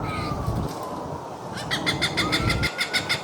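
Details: Cooper's hawk followed around amid city noise, giving a fast series of harsh, evenly spaced cak notes in the second half, about five per second, over a steady low traffic rumble and a faint rising whine.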